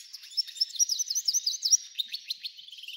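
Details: F1 hybrid goldfinch singing a lot: a fast, high twittering run of sharp chirps and short slurred notes, rising and falling in pitch, about three notes a second, clean with no other sounds.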